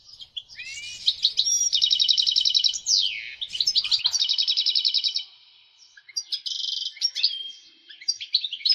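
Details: European goldfinch male in excited breeding condition, singing to stimulate females for mating: a rising whistle, then fast rattling trills of high, bright notes in two long bursts, a short pause, and more twittering phrases.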